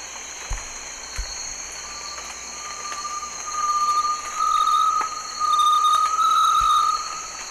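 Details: A secretive Great Tinamou in very humid tropical Chocó forest at San Cipriano reserve, Valle del Cauca, Colombia, about 200 m elevation, gives a long, pure, tremulous whistle at a steady mid pitch, swelling in waves over a high insect-like hiss.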